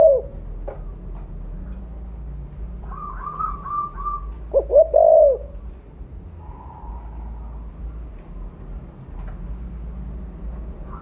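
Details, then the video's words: Mottled 'blorok' spotted dove, a strong caller for luring birds: a brief coo at the start, a wavering whistled series from another bird, then a loud three-part coo phrase midway, followed by quiet background. "Terukur blorok gacor suara besar cocok untuk pancingan bunyi"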